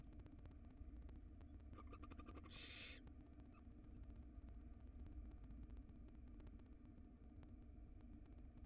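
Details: A tiny wild barn owl nestling feeding on a rodent's tail in a nest box: a quick run of soft ticks, then one loud, rough hiss lasting under a second, followed by low humming background.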